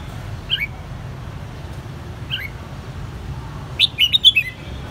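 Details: Caged red-whiskered bulbul in Saigon, hand-raised from a young white-cheeked bird: two short isolated chirps early on, then a quick bright burst of four or five warbled whistled notes near the end over steady low background hum.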